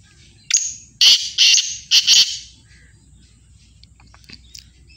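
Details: Black francolin in Sindh, Pakistan, calling with a short series of four loud, rasping, buzzy notes packed into under two seconds, followed by quiet with faint distant chirps and low background hum.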